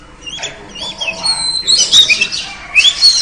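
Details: Female oriental magpie-robin luring a male with its call: soft whistles at first, then a louder, rushing jumble of high chirps and slurred whistles toward the end.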